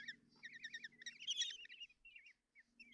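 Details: Common kestrel chicks at a nest box in Tiszalök, Hungary, 30 June 2024, being fed breakfast by their mother: rapid, high, squeaky wavering chitters in quick bursts, rising in intensity, over a faint low hum.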